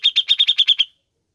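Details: Cucak jenggot (grey-cheeked bulbul) sound played to stimulate caged birds: a single tight run of eight buzzy chattering notes at a steady pitch, lasting under a second.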